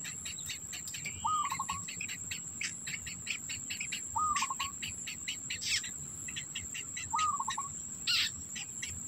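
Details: Black bittern young begging while an adult holds food in its mouth for them: a short, buzzy, stepped trill repeated about every three seconds, over a steady high insect drone and dense ticking insect clicks.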